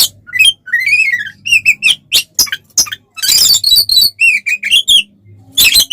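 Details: Oriental magpie-robin (kacer) in provoking fight song: varied wavering whistles and slurred phrases alternating with loud, buzzy, harsh notes and a long rasping burst.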